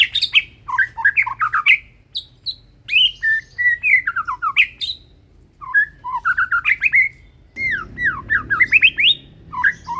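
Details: Song of a caged white-rumped shama, a Medan-type bird wearing a BNR leg ring, in full voice: rich varied whistled phrases, sweeping slurs and chattering notes delivered in rapid bursts with brief pauses, some low background rumble.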